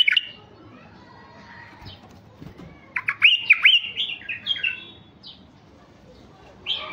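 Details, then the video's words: Caged mutant male Iraqi bulbul singing as a lure for wild bulbuls: scattered short calls, then a bright phrase of upswept whistles and chattering notes with faint clicks around it. "تغريد بلبل عراقي طفرة فحل لفتح البلابل الوحشية الخام"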